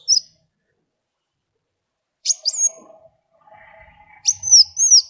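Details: Sunbird (kolibri wulung) song used to draw other birds into singing: a few brief, well-spaced, high sharp whistles that dip and slide, with a faint hum between phrases.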